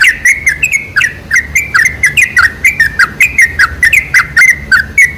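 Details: Sooty-headed bulbul lure recording for attracting bulbuls, a loud, hurried series of harsh-edged slurred chirps, close to two per second, continuing unbroken.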